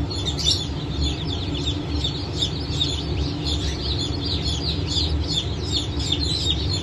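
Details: Blue Brahma chicks just out of the shell, from a hatch dated 22.06.2024, keep up a busy chorus of shrill, short, slurred peeps layered thickly over each other above a low rumbling background.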